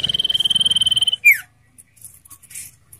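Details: Common iora in ngetir song, used as lure and training audio for captive birds: a quick, evenly pulsed high trill of just over a second, finishing with a sharp downward slur, then faint ticking sounds.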